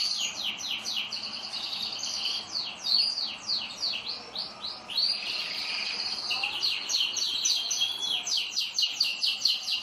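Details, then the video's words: Several caged canaries singing together: continuous high trills of rapidly repeated sweeping notes, rising and falling phrases overlapping without pause, over steady faint background noise. "UM POUCO DOS MEUS CANÁRIO FAZENDO BARULHO!"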